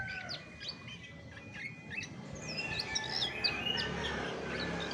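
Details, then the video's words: Chestnut-backed thrush song: sparse thin chirps at first, then a denser run of high, twisting whistled notes building toward the end, over a low background rumble. "SUARA ASLI ANIS MACAN"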